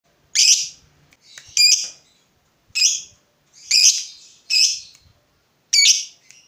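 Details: Lovebird kept as a fighter bird, provoked and agitated at seeing a rival: sharp, harsh screeching calls with uneven gaps, about six bursts in under seven seconds, with a quiet room behind.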